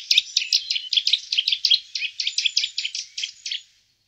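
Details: Eurasian nuthatch calling: a fast series of short, bright chirping notes, about four or five a second, steady for three and a half seconds before stopping.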